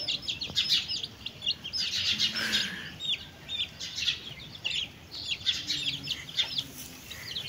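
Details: Chickens and chicks eating together: shrill chick peeping throughout, overlapping slurred notes in bunches, with a soft low rising sound near the middle and light background hiss.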